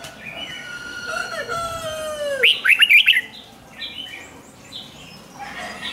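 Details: Red-whiskered bulbul song, doubled 'ริก' style meant to excite caged birds: faint sliding whistles from other birds drift down before a loud burst of five rapid whistled notes, then scattered soft chirps.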